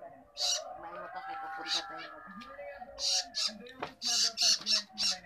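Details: Young long-tailed shrike begging as food arrives, quiet tonal murmuring first, then a quick series of loud, harsh squawks in the second half.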